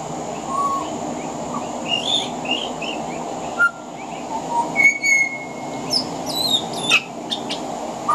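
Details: Male pied butcherbird singing on a veranda, its song mixing in mimicry of other Australian birds: scattered clear whistles, short slurred notes and a long level whistle, with a few sharp rasping bursts over a steady high hiss.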